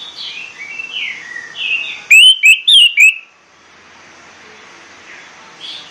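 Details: Morning singing of an orange-headed thrush, meant to rouse other birds to sing: faint warbling, then four loud, clear slurred whistles in a one-second burst, followed by near silence with distant soft notes.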